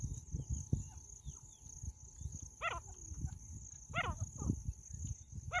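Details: Female jungle francolin (jungle teetar) calling: short, harsh, stacked notes with a falling shape, given in bursts about every one and a half seconds, over a steady low rumble of background noise.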